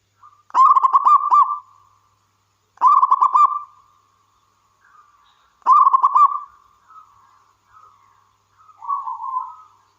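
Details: Zebra dove, a local wild singer used as a model to get other birds singing: three loud, pulsed, rolling coo phrases, then soft high notes and a lower, gentler closing coo.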